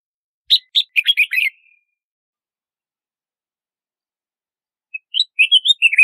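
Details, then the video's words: Red-whiskered bulbul giving two short bursts of lively chirping notes, each a quick tumble of bright warbles, separated by about three seconds of silence. "Red-whiskered Bulbul Song! Red-whiskered Bulbul Call!"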